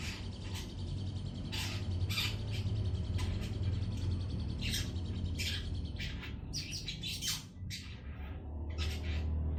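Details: Young long-tailed shrike, two months old, practising its song: a loose series of harsh, scratchy broadband squawks, fast and irregular, some in quick clusters, over a steady low hum.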